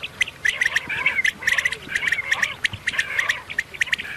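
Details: Female quail calling: rapid, repeated squawky chirps at a fairly even pitch, several each second, mixed with harsh clicking bursts in a steady unbroken run over a faint constant hum.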